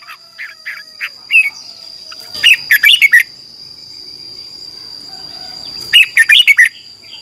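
A red-whiskered bulbul gives short, bright, warbled whistle phrases about three seconds apart, after a few single chirps, over a steady high whine.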